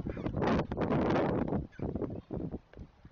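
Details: Great blue heron chicks at a nest on the Chesapeake, being fed by an adult: loud, harsh, broadband squawking bursts run together for the first second and a half, then shorter rasping calls follow in quicker, choppier succession.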